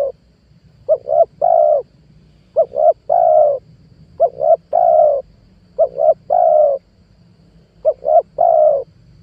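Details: Lure call of a spotted dove for attracting wild doves to a trap, 2022: a three-part cooing phrase, two quick notes then a longer rolling coo, repeated about every two seconds over a low rumbling background.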